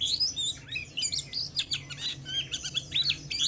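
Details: Wiklus Wiksar Javan white-eye singing in ngalas style to draw other white-eyes into song: quick, high twittering notes with sliding, warbled phrases packed closely together.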